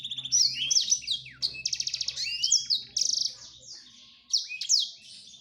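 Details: Male black-throated canary singing to court a female: a dense, rapid high warble of twittering trills, buzzy rattles and sweeping whistled notes, with brief pauses, over a faint low hum.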